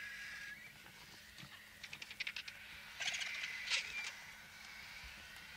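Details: White-backed Vultures squabbling over a bull African elephant carcass near a road in the African bush: a quick run of raspy clicks and hisses, then a harsh, breathy scrum with a brief high squeal over a steady background hiss.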